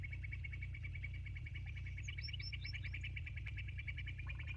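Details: Bald eagles at the Sauces nest on a live nature camera, 29 January 2024 at 22:51; a fast string of high, thin piping notes with a few sharper upslurred chirps above, over a steady low rumble of wind.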